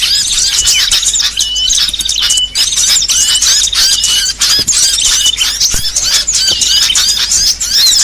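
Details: Training recording of varied small songbirds: bursts of high chattering with rattling trills and sliding whistles, separated by short pauses, plus scattered low clicks.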